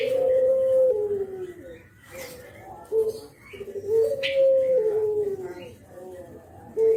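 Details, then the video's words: Nodding spotted dove in Java voicing its kuk geruk lure call: two long mellow coos, each held then falling, separated by short clipped notes, repeated across the recording. "KICAU KUK GERUK BURUNG JAWA BRENGGOLO"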